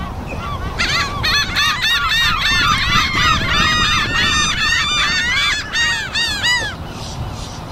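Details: Seagulls gathered in a flock on an afternoon, a dense chorus of many overlapping harsh, arching calls repeated rapidly, about three per second, over a low rumbling background.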